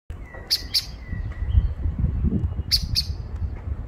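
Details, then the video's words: Common blackbird (Turdus merula) beeping: two pairs of sharp, high clicking ticks about two seconds apart, a faint thin whistle between them, over a steady low rumble. "שחרור מצפצף شحرور صفير A Turdus merula beeping"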